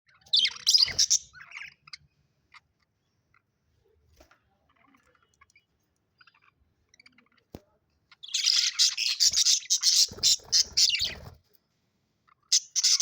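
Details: Happy budgerigars chirping in bright, scratchy bursts of warbled chatter, then a pause.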